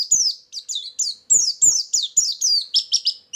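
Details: White-eye song used as a lure: loud, high descending chirps delivered in quick succession, about three per second, ending in shorter, lower twitters.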